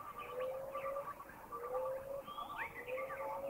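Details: Collared owlet giving its clear, low piping hoots, each held briefly and repeated about every second and a half, over a busy chorus of higher chirping birds; recorded in Thai national parks (Khao Yai, Doi Inthanon, Doi Suthep-Pui, Chae Son).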